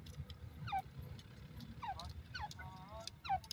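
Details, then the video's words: A francolin gives four downslurred, slightly nasal notes about a second apart, over a steady low rumble of traffic. "cute partridge beautifull voice,beautifull pheasant sound"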